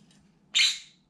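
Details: A single harsh, buzzy shriek from a pet green-cheeked conure kept indoors and watching from a window, loud and abrupt, fading over about half a second, with a soft room hum beneath.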